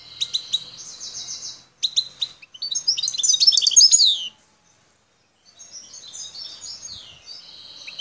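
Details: Singing wild European goldfinch of the Algerian population, El Tarf sector, Bouteldja: buzzy trilled notes and sharp chirps build into a dense, rich twittering phrase, followed after a pause by softer, thinner twitters.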